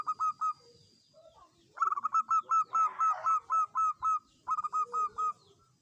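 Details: Local zebra dove singing eagerly, played as a lure to prompt other doves to sing: bursts of rapid, clipped, ringing coo notes about twice a second in runs of six to ten, with a faint steady whine behind.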